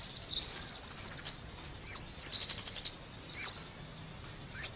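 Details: High, thin song of a scarlet-backed flowerpecker: a fast even trill building over a second, a sharp note, another clicking trill, then scattered single tsip calls.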